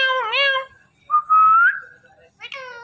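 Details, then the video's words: Pet Indian ringneck parrot talking, said to love watching a phone and talking to it: two drawn-out, wavering nasal syllables like a meow, separated by a clear whistle that rises at its end. "Talking Indian Ringneck Parrot"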